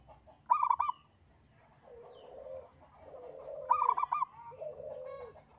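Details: Local zebra dove giving its engkel song, meant as a lure to get other birds singing: two quick, rattling coo phrases about three seconds apart, while another dove's lower, drawn-out falling coos fill the gaps.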